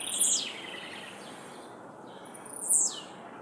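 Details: Blue-black grassquit singing after release into the wild: two short, very high, buzzy down-slurred notes about two and a half seconds apart over a steady hiss of outdoor noise.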